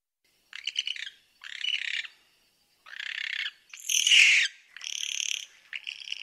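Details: Barn owl uttering a series of six short, harsh, raspy bursts in quick succession, some rising in pitch, each under a second long.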